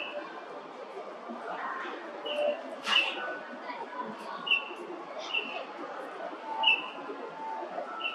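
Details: Golden-breasted starling singing: short, clear whistled notes repeated at irregular intervals of one to two seconds, some with brief buzzy edges, over steady low background hiss.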